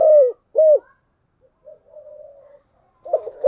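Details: Spotted dove cooing in the bronze-voice style, giving two loud, mid-pitched, downward-curving coo notes, then a softer, longer, even hum and a burst of quieter, broken coos at the end.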